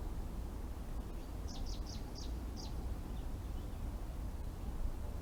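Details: Wild garden birds visiting feeders, picked up by a live webcam: a quick run of five high, thin chirps in the middle, over constant low-pitched background rumble.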